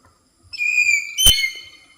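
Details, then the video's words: Hill myna at Thattekkad Bird Sanctuary, Ernakulam, Kerala, Western Ghats forest, gives a loud, clear, steady whistle broken by one sharp, clipped note, then the whistle carries on slightly lower; a species said to make many varied calls. "இப்ப நீங்க கேட்ட சவுண்டு வந்து காட்டு மைனா. இது வந்து ரொம்ப வித்தியாசமான பலவிதமான ஒளிகள் எழுப்பக்கூடியது."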